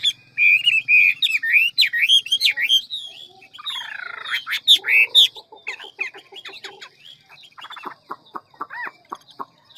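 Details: Hwamei of the ngũ trường forest-voice style: quick whistled phrases give way to harsh rasping notes and a series of dry clicking chirps.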